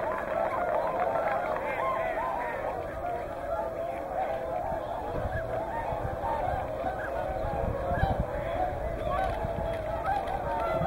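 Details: Whooper swans in a mixed flock with Tundra swans at Hyoko, Niigata, recorded from morning to evening; a dense, continuous chorus of nasal honking calls overlapping throughout, many birds calling at once with steady background noise.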